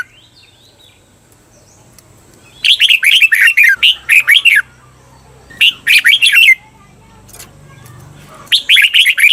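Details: Caged red-whiskered bulbul song used as a training recording: loud bursts of four to six sharp, slurred whistled notes, each arching down, repeated in phrases about every three seconds with quiet gaps between.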